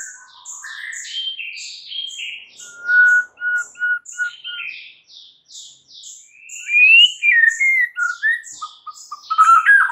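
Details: In the morning, a White-rumped shama mixes chattering phrases, a run of five clear identical whistles, and a sweeping fluty descent followed by quick repeated notes, under a persistent high ticking sound.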